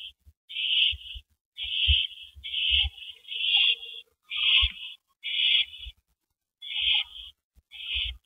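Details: At the nest on an April 2012 evening the male owl hands a rabbit to his mate; roughly eight harsh, breathy hisses come at an uneven rate of about one per second, with soft thuds beneath.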